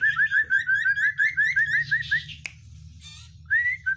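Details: An Oriental white-eye delivers a long chain of quick, evenly spaced upslurred whistles as part of a song full of sharp 'isian' phrases, broken by a soft buzzy rattle before clear whistles resume.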